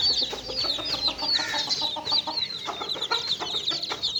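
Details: Chicks playing together, producing a steady wash of high-pitched cheeping from many birds at once, with brief lower clucking notes scattered throughout.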